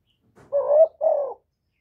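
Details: Single spotted dove phrase used to excite decoy birds: a soft rising hollow coo running straight into a second, steadier coo that sinks slightly. The whole phrase lasts about one second in clean quiet.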